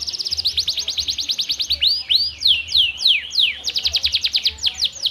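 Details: Canary singing strongly as a prompt for canaries that rarely sing; fast high trill, then looping rising and falling whistled notes, then another rapid trill.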